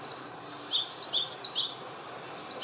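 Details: Japanese tit male visiting a mandarin orchard, singing close by: crisp high two-note phrases, a bright note dropping to a lower one, repeated about every half second in a quick rhythmic series.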